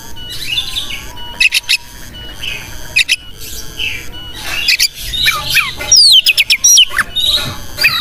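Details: Oriental magpie-robin in energetic tutor song said to excite other birds into displays: scattered sharp clicks and chips, short buzzy phrases, then a rapid run of high whistled downslurs and trills near the end.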